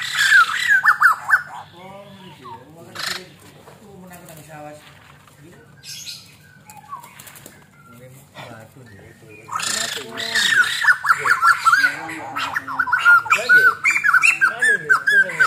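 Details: White-crested laughingthrush in a master recording made for training songbirds: loud bursts of rapid, wavering whistled notes open and close the clip, with quieter harmonic chattering and rustling between them.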